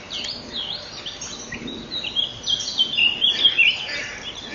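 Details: Common kingfishers at their nest, 12 May 2013 at 07:57, with the female wanting to leave as the male arrives in the tunnel to feed the young. High wavering calls rise and fall, then become denser and buzzier in the second half.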